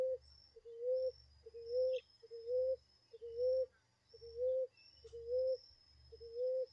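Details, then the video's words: Ground dove in a natural setting, calling with a long series of low, soft coos, each rising a little at the end and spaced just under a second apart. A thin constant high hiss and a low rumble run underneath. "pássaros rolinha"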